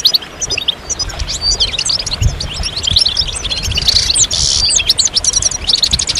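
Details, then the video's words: High, fast goldfinch twitters and slurred chirps in a continuous jumble, including a short buzzy note near four seconds, over low background rumble. "Magical Goldfinch Songs"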